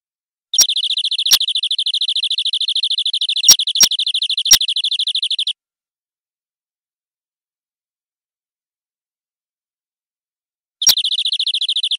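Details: Local wild-forest canary in full isian song with ornate cengkok: a rapid, high, buzzy trill for about five seconds, sharp clicks scattered through it, then a long pause and the trill starting again.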